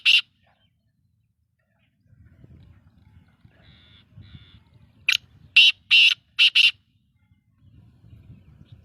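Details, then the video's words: Black-tailed godwit calling: an opening harsh note, a long stretch of low rumbling background with faint tonal chirps, then a quick run of five rasping, buzzy calls near the end. "beautiful voice of black teter"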